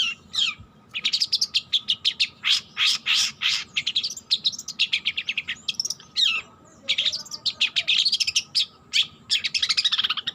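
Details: Long-tailed shrike, a young bird practising its song, delivering fast chattering runs of bright chirps and buzzy notes in clusters with short pauses, plus occasional harsh rasps; a constant low hum in the background.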